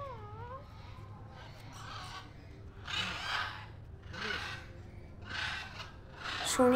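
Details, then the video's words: A crowd of captive macaws at a Newtown, Kolkata mini zoo entrance calling together, their echoing screeches coming as rough bursts roughly every second; a brief voice-like wavering tone opens the recording. "তো মাকাও পাখির আওয়াজ প্রচুর মাকাও পাখি আছে একসাথে সবাই ডাকছে আওয়াজটা পুরো পার্ক চেটে যেন প্রতিধ্বনিত হচ্ছে"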